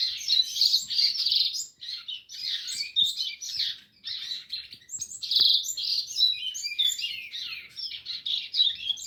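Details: Continuous singing from a rusty-collared seedeater: rapid, high, jumbled phrases of trills, twitters and short buzzes, with brief pauses between bursts and one faint click.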